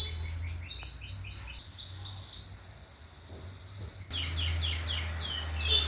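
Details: Singing canary delivers bursts of quick upswept high chirps, a brief quieter pause, then a renewed lively chirping run, with low hum beneath.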